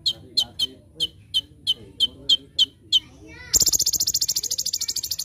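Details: Master recording of an olive-backed sunbird (kolibri ninja) for teaching other birds: a row of sharp high chip notes about three per second, then a sudden loud rapid buzzing trill.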